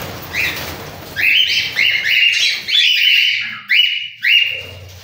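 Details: Cockatiel giving a run of loud, clear whistled calls, each a slightly falling or level note, repeated about every half second, then two separate rising-falling whistles near the end, over a low steady hum.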